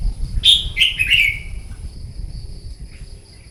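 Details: Wild-caught red-whiskered bulbul in competitive morning singing, used to spur other birds: one short, bright phrase of rapid whistled notes sliding downward, then quiet with a faint steady high hum and low rumble.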